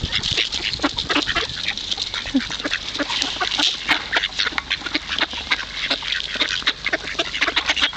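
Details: A crowd of hungry ducks at the Kirchsee lake in Preetz keeps up dense, rapid chattering while being fed, short scratchy quacks overlapping continuously for several seconds.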